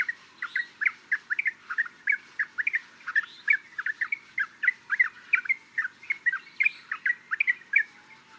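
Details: Yellow-vented bulbul from Thailand giving a steady stream of short bubbly chattering notes, several per second, over a quiet background.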